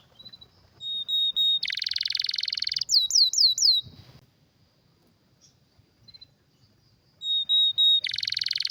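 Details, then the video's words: Canary song with a high whistled note, a dense rapid trill and four looping downslurred whistles, a pause of near silence, then whistles and another fast trill. "Canário com Canto Raro e Forte – Ótimo para Seu Mestre Canário HD - CANARY SOUND MELODY"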